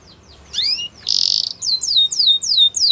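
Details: Canary training song with mixed elements: a swooping whistle, a brief harsh buzzy burst, then a series of sharp downward-sliding notes repeated evenly, over faint background noise.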